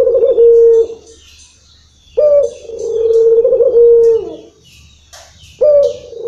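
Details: A local spotted dove delivers its long-rhythm song, with deep, drawn-out coos that hold a steady pitch for about two seconds, then a gap and a fresh phrase beginning. Faint high chirps appear in the background.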